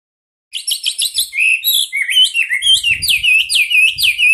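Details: Chinese hwamei master song for training other cage birds, in a tight rolling style with sharp bursts: after a moment of quiet, rapid chattering notes, then a run of clear down-slurred whistles about twice a second, with faint knocking.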